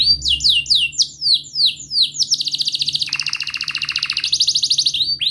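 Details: Canary song used as a lure to coax a silent canary and teach young birds to sing: long, varied phrases of fast descending whistled sweeps, then rapid buzzy rolling trills.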